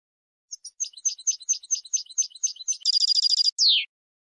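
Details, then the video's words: European goldfinch singing contest-style phrases for training young birds: spaced, twittering notes repeated about four per second, then a dense buzzy trill and a falling slurred ending note. "Canto del Jilguero 5 horas para educación de concurso"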